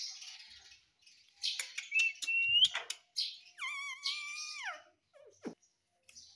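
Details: Ring-necked parakeet, pet bird, talking: scratchy clicks and chirps, then a sustained harmonic voice-like tone that drops sharply at its end, followed by scattered clicks.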